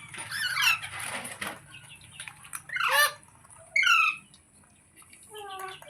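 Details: Pet ringneck parrot with harsh squawks early on, then clean descending whistle-like notes near the middle and a lower falling note at the end, separated by quiet pauses.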